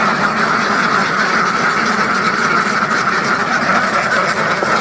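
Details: Hundreds of farmed ducks in a large flock quacking together, a dense, unbroken, overlapping chorus of nasal calls with no pauses throughout.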